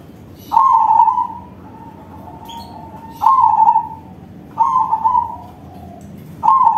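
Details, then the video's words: Crossbred zebra dove singing in a loud, big voice: four bursts of warbling, fluttering coos near one pitch, each about a second long, spaced roughly every one and a half to two seconds, with a soft steady hum behind. "Perkutut crossing manggung suara besar || Suara perkutut crossing"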